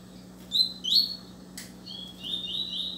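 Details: Double-collared seedeater (Sporophila caerulescens) singing high, clear whistled phrases: a quick rising slur, a pause, then longer sweeping notes, over a faint steady low hum.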